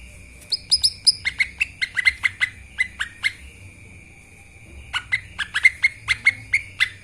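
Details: Lesser green leafbird from a bird-training master recording, delivering two vigorous runs of sharp, ringing chip notes separated by a brief pause, over a constant high thin tone.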